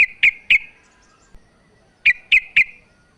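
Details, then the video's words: A female sooty-headed bulbul calling the male gives two sharp ringing chirps, falls silent, then adds three more in quick succession. "TRUCUK BETINA memanggil JANTAN"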